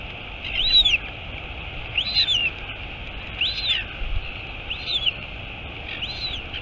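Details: At a royal albatross nest on Taiaroa Head near Dunedin, New Zealand, 23 August 2022, the mother has just arrived; five high arching peeps come at regular one-second spacing against a constant background hiss.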